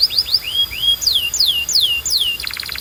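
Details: Singing canary used for training other canaries to sing, with falling whistled slurs around mid-high pitch, then a quick buzzy rattle at the end; faint low background hum.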